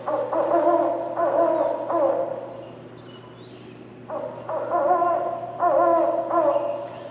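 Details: Great horned owl hooting, played at a visitor center display on owl calls and communication as one of the owls heard on the Middle Creek Wildlife Management Area property: deep, rhythmic hoots in two bursts separated by a pause, over a faint hum.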